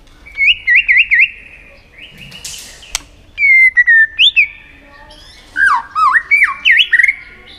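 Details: Tail-flicking White-rumped shama singing to stimulate other shamas in contests: varied whistled phrases, a wavy trill, falling slurred notes, then rapid rising and falling warbles, with short pauses between bursts.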